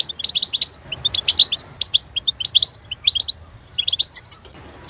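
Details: Goldfinch delivering a rapid, liquid twittering song, bright chirps tumbling in quick groups with a few sharper high notes, steady low noise behind.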